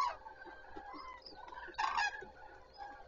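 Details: Common cranes at Zastawie reservoir, 14 September 2023, at the start of the day: softer background calling, then one loud, harsh trumpeted call near the middle.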